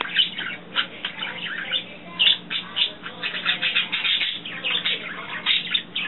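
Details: Pet budgerigars singing and twittering indoors: a rapid warbling stream of scratchy chirps, clicks and squeaky notes, with a steady low hum behind and a person speaking softly.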